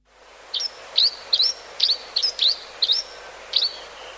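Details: Grey-hooded sierra finch giving a rapid series of short, sharp chirps, each a bright upward-flicking note, about eight in four seconds at uneven spacing, over faint background hiss.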